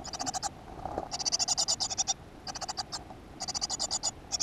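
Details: Great tit, nest box in a school garden, 7 June 2015: repeated harsh, pulsed rasping calls in quick series with short gaps, plus a faint knock near the one-second mark.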